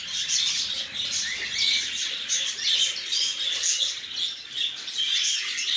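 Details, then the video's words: A group of lovebirds keeps up a busy, piercing twitter. Rapid overlapping chirps swell and fade in loudness every second or so. "طيور الحب"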